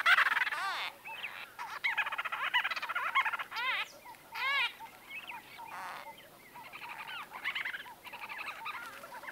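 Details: Conversation among white-fronted bee-eaters recorded at medium close range: busy overlapping rolling trills and warbled chirps, loud at first then in bursts, with faint whistled notes in the background.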